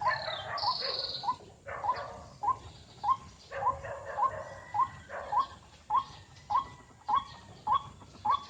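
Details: White-breasted waterhen calling near a trap set with a lure in a salak fruit garden: a steady series of short, upward-hooked croaks, about one every 0.6 seconds, each with a rough buzzy edge. A brief high insect-like whine is heard early on.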